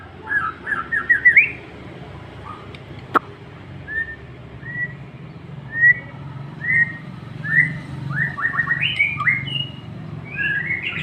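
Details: White-rumped shama provoked into aggressive singing, giving short whistled and trilled phrases with rising slurs, spaced by pauses over a steady low background hum.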